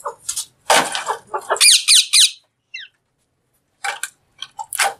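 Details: Alexandrine parakeet, described as talking as it eats, gives rasping bursts and a quick series of descending harmonic squawks, then a short pause before more scratchy notes and clicks.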